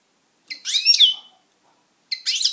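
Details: Caged European goldfinch, a kept pet, singing: two bursts of rapid, bright twittering and buzzy notes with a sharp rising whistle near the first burst's end, separated by about a second of silence.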